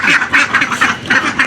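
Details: Ducks making noise for food, refusing to eat or enter their pool: repeated harsh nasal quacks, roughly every fifth of a second, loud and steady over a busy background.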